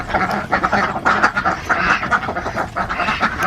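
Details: Farmed Alabio ducks from Kalimantan, Borneo, raised in Central Java, calling as a flock: harsh nasal quacks repeated rapidly and unevenly, several birds overlapping in a steady, busy clamour.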